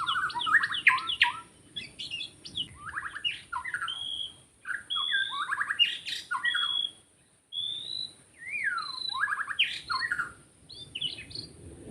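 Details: Wild white-rumped shama recorded in forest while trapping birds, pouring out long varied song: rapid trills, buzzy chatter and clear high whistles in bursts with brief pauses.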